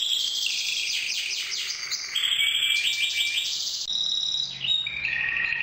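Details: Red mosaic canary, milky white with orange wing stripes, sings a lively varied song: quick bright trills, buzzy rolls, short clear whistled notes and a falling slur near the end.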